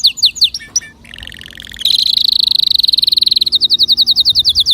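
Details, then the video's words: Canary song meant to stimulate other birds to sing: sharp repeated whistled notes, then a long, fast, buzzy trill held steady at a high pitch, ending in a run of rapid rising chirps. "تغريد كناري يحفز طيورك على الغناء"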